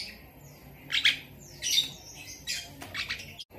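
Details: Asian pied starling singing with mimicked lovebird sounds: a few harsh, buzzy, high squawks and chirps scattered over under four seconds, with faint descending whistles between them.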